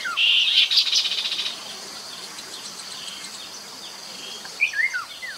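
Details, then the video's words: Recorded in 2021 by the Mekong at Nakhon Phanom, Thailand, as a lure sound, a Chestnut-capped babbler starts with a loud rasping chatter, goes quiet, then closes with clear falling whistled notes over continuous insect hum. "นกกินแมลงกระหม่อมแดง Chestnut capped babbler sound"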